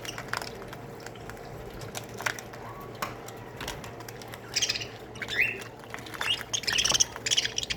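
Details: Budgerigars in an aviary colony: scattered soft chirps build into bursts of bright, buzzy warbling chatter in the second half, with a few rising whistled notes and light wing flutters.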